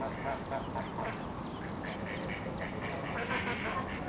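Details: A duckling family exploring the Thames towpath at Iffley Lock in Oxford squeaks as the young follow mother duck, with short piercing peeps repeated roughly three to four times a second above low ambient noise.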